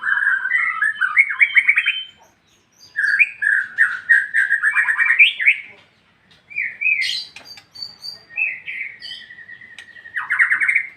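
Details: White-rumped shama singing in the loud ngeplong-ngeplong style: rich, varied whistled phrases with fast trills and slurred notes, mostly mid-pitched, delivered in bursts separated by short silences, with a few sharp high notes.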